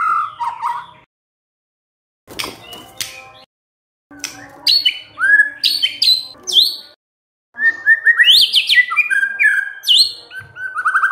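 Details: White-rumped shama singing as a lure for quiet birds: short whistled bursts separated by abrupt silent breaks, then a rich final run of high sharp notes and warbled whistles.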